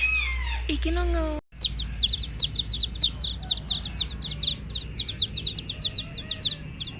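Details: Baby chickens peeping in a chorus: shrill, high, downward-sliding chirps in quick, irregular overlapping bursts, after a short opening of lower, tonal, voice-like sound and a brief cut to silence.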